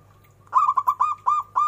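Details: Local zebra dove, described as singing lively with a big, ornamented voice: a phrase of six quick, loud cooing notes, each a short upturned hoot, delivered in a rolling series over about a second, with a steady low hum behind.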